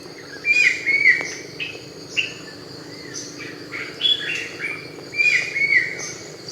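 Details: A Brown-winged Kingfisher, a protected species found in Thailand, gives loud, harsh, ringing notes in uneven bursts, some higher and thinner, with a faint insect hum beneath.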